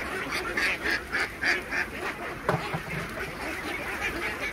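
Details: Khaki Campbell ducks, from a farm flock of 3000 being fed, give distinct loud quacks about twice a second over a softer background chorus. A low thud sounds midway.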